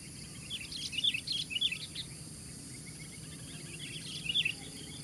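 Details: Fighting sooty-headed bulbul facing four rivals, giving loud clusters of sharp chirped notes in two groups with a pause between, over a constant low hum.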